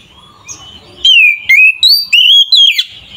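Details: Oriental magpie-robin singing to fire up other magpie-robins: after a faint soft start, five loud, clear whistled phrases, each sliding downward or wavering, in quick succession.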